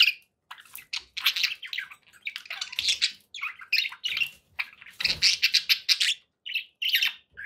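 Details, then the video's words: Several short bursts of budgie chatter in steady succession, scratchy chirps and squeaky warbled notes packed closely together, with a few small clicks and tapping sounds underneath. "budgie sounds for pet birds"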